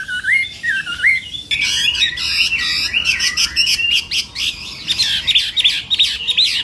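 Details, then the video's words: Chinese hwamei singing during morning voice training, with a few looping whistles that break into a dense, scratchy, rapid babble of harsh and whistled notes that lasts to the end. "hoạ mi hót sáng luyện giọng"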